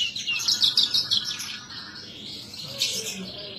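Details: Horsfield's bush lark kept as a cage bird, singing gacor with a quick series of high, scratchy chirps that fades into a pause before a short final twitter.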